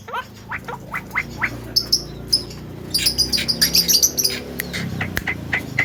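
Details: Lure sound from a talking Javan myna to stir up other mynas: sparse sharp squawks, then a fast run of thin high chirps and scratchy notes, ending with scattered calls over low background noise.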